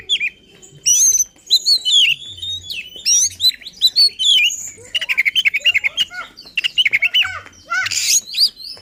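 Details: Emotional, insistent oriental magpie-robin singing, played to provoke other magpie-robins: varied whistles and squeaky notes give way to fast stuttering repeated notes and a loud harsh burst.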